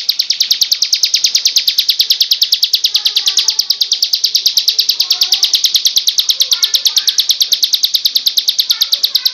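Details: Bar-winged prinia (ciblek kristal) kept as a songbird, singing in a tutor recording: a fast, even run of sharp high buzzy notes, about three per second, held throughout, with soft chirps and faint twittering underneath.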